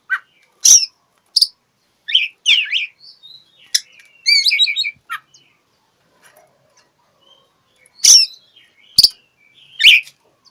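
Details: Oriental magpie-robin song aimed at finding a rival, used to provoke mute birds into singing: bursts of sharp chips, a rapid trilled warble, then a quiet gap before more harsh clicking notes.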